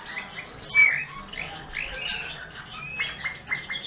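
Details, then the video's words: Eurasian bullfinch song made of soft, creaky twittering and short rising and falling whistles. One louder, clear whistled note stands out early on. The notes run almost continuously, with only brief pauses between phrases. "Bullfinch singing"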